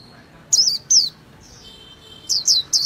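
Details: Japanese white-eye giving a few sharp, high, down-slurred chirps, two early notes then a quick trio after a pause, over a quiet background.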